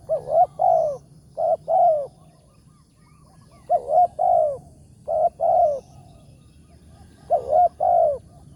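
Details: Spotted dove cooing in the morning at a trapping site where a lure bird was set for a big-voiced wild target. Three-part phrases of low, hollow coos, the last note long and falling, repeated four times with steady low hum behind.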